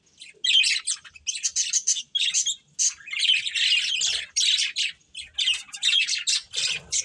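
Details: Breeding pair of budgerigars chattering in repeated scratchy bursts and short warbled phrases, with brief pauses between.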